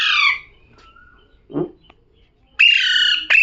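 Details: One fading harsh call from a talking parrot, a soft low sound mid-way, then two loud grating squawks at the end.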